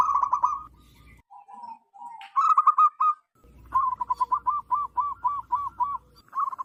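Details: Loud wild local zebra dove, a call used to lure others of its kind: a burst of rapid coos, then two low drawn notes, then a long even string of bouncing, ringing coos with faint background rumble.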